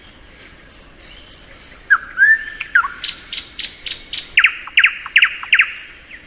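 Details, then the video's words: Thrush nightingale in spring song: high thin piping notes, then a rising whistle, a burst of scratchy notes and a run of loud chopped notes, repeated evenly. "Nightingale Song.(Luscinia)."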